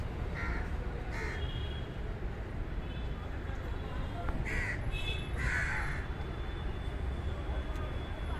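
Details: Several crows at a Delhi feeding spot call loudly, apparently objecting to someone nearby; short harsh caws come in spaced bursts, a pair early and more around the middle, over constant low city rumble.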